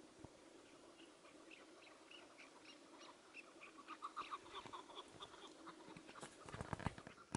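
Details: Partridge, with a tethered decoy bird used for hunting, calling outdoors: a run of short, clipped notes repeated in quick succession, growing louder and denser, ending in sharp clattering knocks over steady background hiss.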